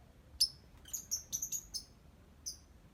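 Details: Lovebird ngetik song, a string of short, high, clipped chirps in quick succession, about six within one second, followed by a single chirp after a pause.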